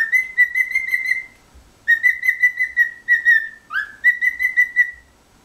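A cockatiel whistles bright, pulsing notes in quick runs of about six, with brief pauses and one rising slur. No other sounds are heard.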